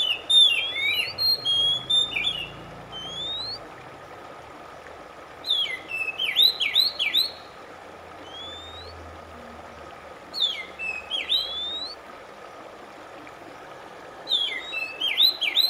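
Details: Oriental magpie-robin song played to calm stressed birds and restart their singing: a dense burst of looping whistles repeated four times, every four seconds or so, with a soft low rumble early on.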